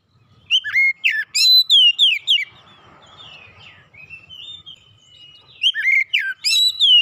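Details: Therapeutic Oriental magpie-robin song meant to help a stressed bird recover. A fast burst of loud, ringing whistles gives way to a quieter, softly warbled passage, then another energetic volley of sweeping notes.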